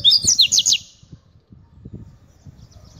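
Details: Caged hybrid of Double-collared seedeater and Buffy-fronted seedeater singing: a quick burst of high, sweeping whistled notes lasting under a second, followed by soft low thumps and handling noise.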